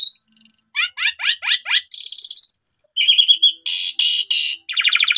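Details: Song of an Asian pied starling, played to raise a kept bird's mettle and draw out its full song; a rising whistle, rapid repeated dropping chips, a long buzzy note, then harsh rasping bursts.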